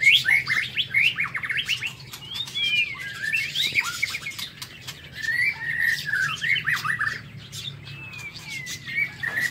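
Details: A caged white-rumped shama in an aviary sings in the morning, a rich, varied song of clear rising and falling whistles mixed with harsh chattering notes, almost without a break, over a faint low hum.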